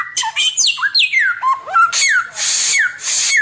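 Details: Oriental magpie-robin giving a nonstop 'tembakan samyong' style song, described as good for tutoring other birds: loud falling and rising whistled slurs alternating with harsh, hissing broadband bursts.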